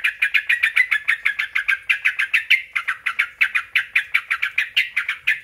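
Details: Rapid, rasping note series from a sooty-headed bulbul, used to provoke other bulbuls into answering, with a brief gap midway and clusters of quick doubled notes.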